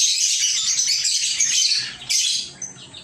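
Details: Several lovebirds in a little aviary keep up a loud, unbroken stream of shrill, high chirps, briefly stop near two seconds, burst again, then fade to scattered softer squeaks.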